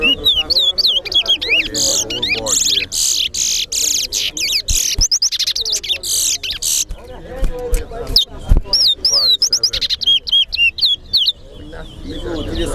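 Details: Chestnut-bellied seed finch (towa towa) singing fast, sweet whistled phrases of rising and falling slurred notes at a bird singing competition at Guyana National Stadium, with a crowd murmuring and voices in the background.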